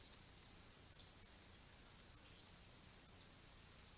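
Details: At least five Swift parrots visiting a pond among flowering Grey Box trees in March 2022 give brief, sharp, high metallic chirps at irregular one-to-two-second intervals over a steady high insect-like hiss.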